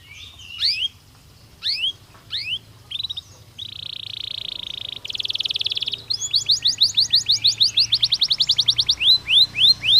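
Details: Canary song played to get birds ready for mating season: scattered sweeping notes at first, then steady buzzy tours, building into a long series of rapid repeated downward-slurred notes, with low background hum throughout.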